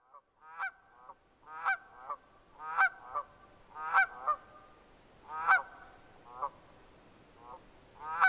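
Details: Red-breasted merganser calling: a series of harsh, buzzy, stacked notes with sharp accented peaks, some drawn out and rattling, repeated at irregular intervals of one to two seconds against a quiet background.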